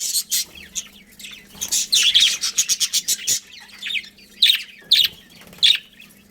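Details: Colony of budgerigars chirping: scattered high, rasping chirps, then a quick run of sharp repeated notes near the middle, followed by isolated squeaky calls and a soft low hum in the background.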